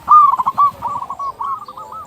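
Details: A single song phrase from a local zebra dove used to lure others: loud quick-fire stuttered coos that slow and fade into softer rolling notes.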